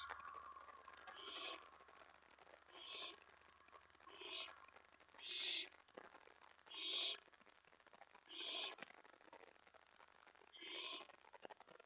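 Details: Owls at the nest during a mouse delivery before dawn, 4:46 AM on 15 May 2017. Harsh, raspy hissing screeches come about every one and a half seconds over a steady low hum, with faint background crackle.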